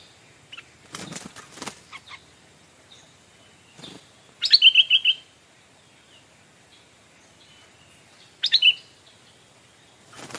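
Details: Stripe-throated bulbul kept as a decoy, calling to draw in wild birds; two bright bursts of rapid, trilled chirping notes around four and a half and eight and a half seconds, between dull knocking thumps.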